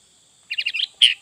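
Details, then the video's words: Sooty-headed bulbul in full isian song: a rapid trill of four or five quick chirps followed by a single louder, bright slurred note. A faint steady high hum runs underneath. "Burung Kutilang Fulll isian"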